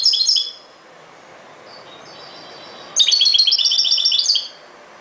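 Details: European goldfinch song: a brief burst of rapid tinkling twitters, a pause with a thin faint whistle, then a longer liquid, rapidly repeated run of bright high notes lasting over a second.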